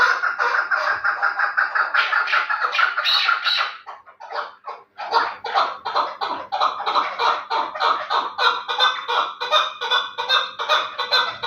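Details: Chukar partridge of the Terali type, kept for fighting and hunting, calling in fast, hoarse, repeated chuck notes that stop briefly near four seconds, then resume even stronger and denser until the end.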